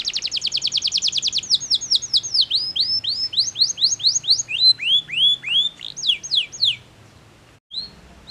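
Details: Powerful canary song meant to stimulate rival singers: a fast buzzy trill opening into a long series of clear descending whistled notes, roughly three per second, ending in a brief pause and a short note.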